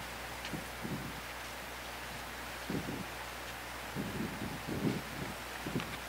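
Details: Gusty wind buffeting the microphone with rustling and low rumbles, and no animal voice.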